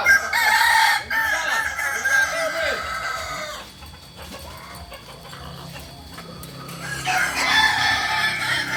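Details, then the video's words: Kokok Balenggek roosters at a joint crowing practice in Amko, Solok city; dense overlapping crows fill the opening seconds, fade to a quieter stretch, then return strongly after seven seconds, with background chatter. "Latberan ayam kukuak balenggek di amko kota solok"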